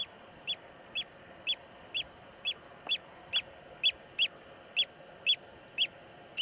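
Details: Eurasian oystercatcher in Iceland giving a steady series of sharp, high piping calls, about thirteen in just over six seconds, close to two per second, each short and ringing over a quiet background.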